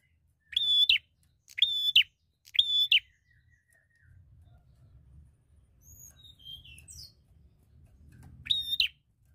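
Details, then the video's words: Bar-winged prinia, a fighter bird seeking a rival, gives three loud, sharp, buzzy notes about a second apart, then a long pause with faint high chirps and low rumble, and one more buzzy note near the end. "Prenjak Gacor Fighter Cari Lawan"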